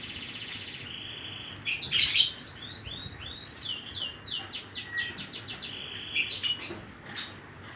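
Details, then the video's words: Oriental magpie-robin in full song, filled with koslet phrases: a long held whistle, then a rapid series of sharp descending sweeps and chirps, a harsh burst near the start, with a faint background hiss. "burung kacer gacor isian koslet"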